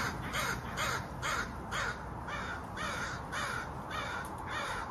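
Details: Crows calling with harsh, hoarse caws, about eight rough broadband calls in five seconds, coming in a loose, uneven rhythm with short gaps between them, over a low background rumble.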